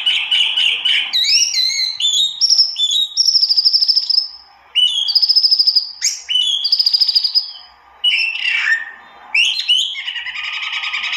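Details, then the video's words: Loud song of a white-eye, locally tieu mi or wambi mini: buzzy rattling trills alternate with long high sustained whistles and slurred phrases, separated by short gaps. "kicau burung tieu mi atau wambi mini"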